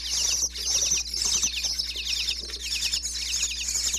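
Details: Baby bluebird nestlings inside a Pennsylvania birdhouse chirp as parents arrive with food, picked up close by a wireless microphone in the house: dense, high, scratchy chirps in rapid overlapping bursts, almost continuous, about two bursts per second.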